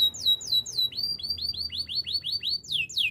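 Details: Spanish Timbrado canary song for training, sung as quick repeated whistled phrases: falling slurs, then a string of short rising-and-falling notes roughly four per second, ending in sharper downward sweeps, with little background noise.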